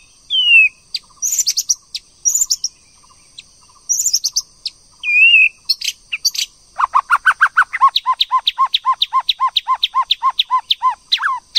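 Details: Female White-rumped shama prompting a male to sing: scattered whistles and sharp chips, then a long fast series of harsh repeated notes, about three per second, lasting several seconds.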